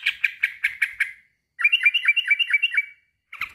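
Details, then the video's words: Male sooty-headed bulbul calling a rival: five sharp, harsh chattering notes, a short pause, then a fast run of bright, bouncing downslurred notes, and a final burst of notes at the end. "kicau suara trucukan jantan memanggil lawan"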